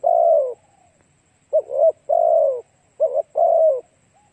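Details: Spotted dove song used to lure other doves: a long husky falling coo, then two pairs of brief stuttered notes each followed by a longer drawn-out coo.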